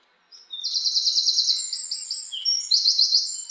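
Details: After a brief silence, a house wren bursts into a long, fast, buzzy trill of closely spaced notes, which changes pitch partway through and ends with another rapid rattling run. No other sounds.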